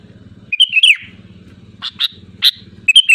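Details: Sooty-headed bulbul sings a bright phrase of rising and falling whistled notes, then gives short sharp chirps and a final quick whistled flourish, all over a low pulsing motor-like drone.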